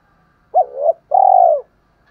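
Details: Decoy spotted dove's morning call to wild birds: a short hoot sliding into a softer rising note, a brief gap, then a long rich, pulsing coo that fades downward.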